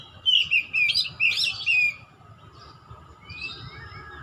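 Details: A young white-rumped shama learning to sing; a quick run of sharp chirps and warbled notes in the first two seconds, then quieter with a soft later phrase, over low background rumble.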